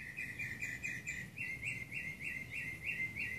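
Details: Morning song of a Northern mockingbird in Burbank, California, July 2016: a steady series of short, buzzy, slightly downslurred notes repeated several times a second, with faint low rumble behind.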